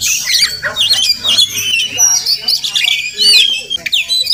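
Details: Morning visit by a wild Oriental magpie-robin near a home where it may be nesting; sweet looping whistles and slurred high notes alternate with harsher squawks in short bursts, a faint low hum beneath.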